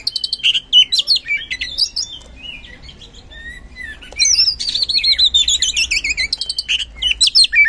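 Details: Oriental magpie-robin, ngeplong-style gacor song used as a lure for non-singing birds: varied whistles and sharp notes, a quiet gap, then a rapid series of trilled, wavering notes about three per second.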